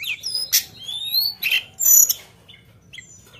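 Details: Sunda bush warbler in full, lively song with sharp shooting fill-in phrases: bright high whistles, rising and falling slurs and buzzy bursts in quick varied bursts, pausing briefly between phrases.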